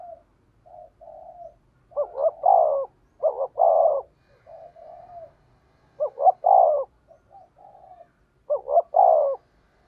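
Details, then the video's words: Decoy spotted dove used to stimulate wild doves to approach, giving repeated phrases: quiet hummed coos, then a pair of short notes and a drawn-out falling coo, four phrases spaced a few seconds apart. "Tiếng cu gáy thúc bổi"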